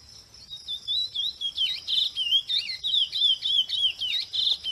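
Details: Chestnut-bellied seed finch singing freely in nature, fast whistled notes swooping up and down in a steady chain, over a constant thin high insect-like tone.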